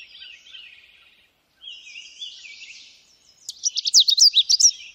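A Canada warbler sings high, jumbled, sputtering warbles, ending in a loud burst of rapid, sharp chips about ten to the second.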